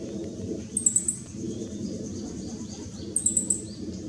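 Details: A Meadow Bunting calling in dim, backlit light on 2 July 2016 gives two brief bursts of three or four thin, very high, quick notes, about two and a half seconds apart, over a steady low rumble.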